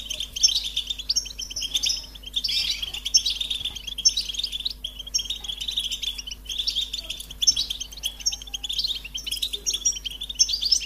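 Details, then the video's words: European goldfinch singing a continuous, rapid twittering song of high tinkling notes and short buzzy trills, delivered in dense bursts about every one to two seconds with barely a pause, with a faint steady low hum behind. "Goldfinch motivating songs"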